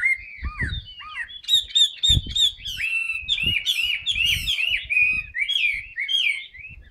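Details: Chinese hwamei kept in a cage, freshly moulted, delivering a sustained fanned-tail song of rich looping whistles and rapid slurred phrases. Soft knocks and rustles sound beneath.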